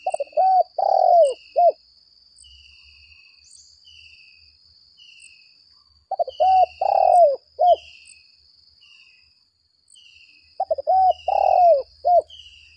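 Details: Captive spotted dove used as a decoy, calling in a fighting style: three bursts of a quick stuttering coo phrase, about four notes each with a longer swelling middle note, separated by pauses of several seconds. A faint high whistle sounds in the background.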